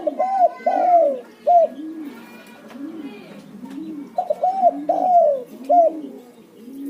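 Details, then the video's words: Spotted dove call played to make other doves sing: two loud phrases of arched, hollow coos, the longer note sliding down, separated by a run of softer, lower coos repeated at an even pace. "Terkukur Pacingan burung Derkuku pasti langsung ngacor"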